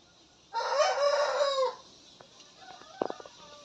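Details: Young cockerels just starting to crow, facing off in a free-range yard; Shamo and Aseel breeds tagged. One hoarse, harmonic crow lasts about a second and ends in a falling tail, followed by soft clucks and sharp clicks.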